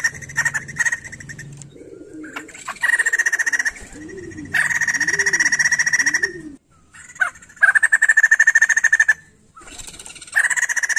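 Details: White-crested laughingthrush in full, persistent song, used to stimulate untrained laughingthrushes to sing. It gives loud, rapid, buzzy chattering bursts of pulsed notes lasting one to two seconds, with gaps between them and three low, arched hooting notes underneath.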